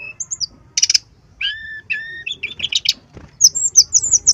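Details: Brown-chested jungle flycatcher in full, persistent song, used as a lure and tutor recording, said to be in breeding condition and agitated: high whistled notes, a brief buzzy burst, then paired falling whistles and quick chirps near the end.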